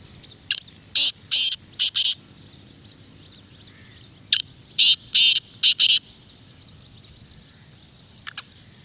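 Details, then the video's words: Black francolin calling, played to lure wild francolins: two loud harsh grating phrases of about five clipped, buzzy bursts each, separated by several seconds of quiet background hiss. "پوری ویڈیو کی آواز اپنے تیتر کو سناؤ انشاءاللہ جنگلی بھی بولنے پر مجبور ہو جائے گا"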